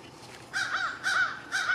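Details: Lunchtime calls of an American crow: three drawn-out, hoarse, slightly wavering caws, the first two run together, then a third after a short pause, against faint steady background noise.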